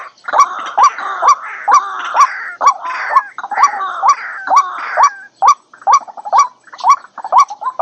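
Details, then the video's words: White-breasted waterhen lure recording, trimmed to keep only the wanted calls: loud, repeated rising kwak notes about twice a second, with harsher grating phrases between them in the first half. "เสียงนกกวัก #06 White Breasted Water Hen Sound"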